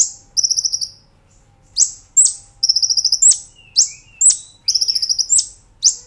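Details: Brown-throated sunbird master recording for training cage birds, 'nembak ngerol' style: rolling trills of rapid high pulses alternate with sharp shrill upswept whistles, the pattern cycling about every second and a half.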